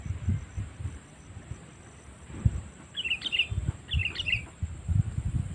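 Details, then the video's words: Sooty-headed bulbul lure call for attracting wild birds: two quick bubbly, slurred phrases about one second apart, set against low thumps and rustling noise. "Suara Panggilan Kutilang Memanggil Burung Liar ‼️ Pikat Kutilang Cengkram"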